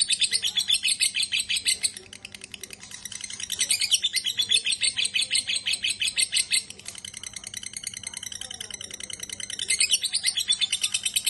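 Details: Lovebird in long ngekek chatter: loud rattling runs of rapid high notes, interrupted by quieter passages and picking up strongly again toward the end.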